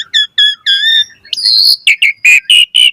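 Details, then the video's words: Song of an Asian pied starling used as a lure for other birds: a run of short clear whistles, a sustained high whistle, then harsh buzzy notes repeated about every quarter second. "Suara Jalak Suren Gacor Full Variasi Materi Ocehan - Pancingan Burung Jalak Gacor Full Isian Mewah"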